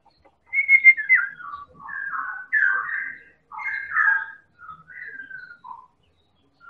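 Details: Lure song of a Medan white-rumped shama, a champion bird that sings without letup: a run of clear fluttering and slurred whistles, some descending, in short phrases with brief gaps, fading toward the end.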